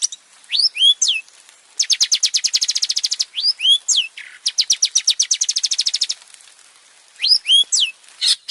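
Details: ['Varied song of a male long-tailed shrike, recorded to coax other birds into singing; paired sharp upslurred whistles alternate with long, fast, even rattles of high notes.']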